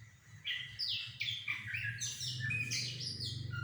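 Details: Sumatran laughingthrush, called goci, giving a lure song to provoke an answer: a rapid burst of loud, varied whistled and chattering phrases, tumbling up and down, over a low background hum.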